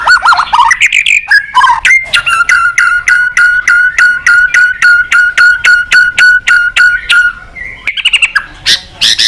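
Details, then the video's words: White-rumped shama therapy song: a few liquid slurred whistles, then a long even series of short clipped notes about three per second, ending in bright high flourishes. "Suara Terapi Burung Murai Batu Gacor Emosi"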